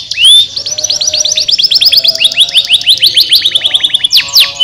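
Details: Canary song, played to stimulate lazy canaries to sing: a loud, fast rolling trill of rapidly repeated upswept notes, about ten per second, opened and closed by sharp whistled slurs.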